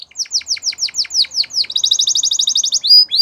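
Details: Canary song: a series of about ten repeated downward-sweeping whistled notes, followed by a fast, even trill of bright notes and a few high clipped chirps at the end.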